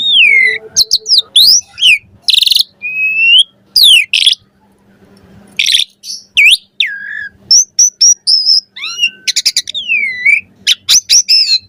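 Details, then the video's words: Asian pied starling song full of variation: loud, slurred whistles that rise and fall, sharp buzzy bursts, and quick trills separated by brief pauses, with no other sounds. "Suara Jalak Suren Full Variasi Ocehan"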